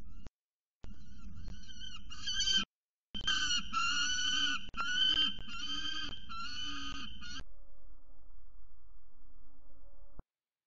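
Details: Young male peregrine falcon on a nest ledge, filmed by nest cam on 12 December 2019, screaming at his mother for food after chasing her off the scrape: harsh, repeated calls in long runs, then quiet.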